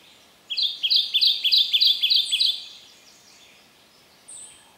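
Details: Male Kentucky Warbler, understory bird at Land Between the Lakes, Kentucky, on a cold drizzly breezy morning: a clear, loud string of about seven evenly spaced rolling churry-like phrases, then quiet with one brief high note from another bird.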